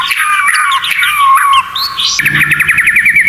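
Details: White-rumped shama song filled with 'tembakan' phrases, used as tutor material: dense overlapping whistles and warbles, then a rapid stuttering trill of short repeated notes.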